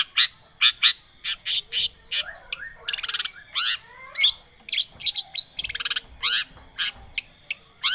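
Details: Long-tailed shrike song used as a lure to get a quiet shrike singing: rapid harsh chips, rattling buzzy trills and scratchy twisting notes, delivered in a busy, uneven stream.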